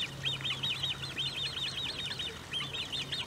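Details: Great crested grebe with young at Maasbommel's De Gouden Ham, 1 August 2018: continuous run of squeaky, high rising-falling notes packed closely together, with a steady low hum in the background.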